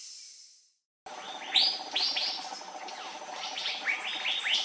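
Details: Andaman bulbul, a bird endemic to the Andaman Islands, giving short, sharp upswept chirps in quick irregular runs after a second of quiet, over a steady high hiss and a low hum.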